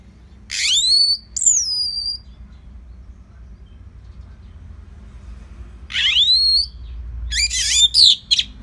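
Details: Orange-headed thrush singing slowly for training other birds: loud, clear whistled phrases that slide downward, separated by long silent gaps, ending with a rapid cluster of sharp notes.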